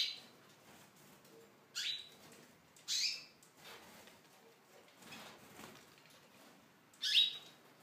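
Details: Tunisian goldfinch in an aviary, with a few sparse, bright chirps, some ending in a thin whistle, separated by longer pauses of quiet background hiss.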